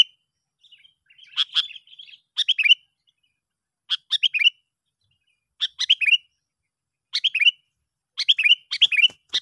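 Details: Sooty-headed bulbul lure call used to pull in other bulbuls: short crisp chirp phrases of several falling notes, repeated roughly every one and a half seconds in a steady series; no other sounds.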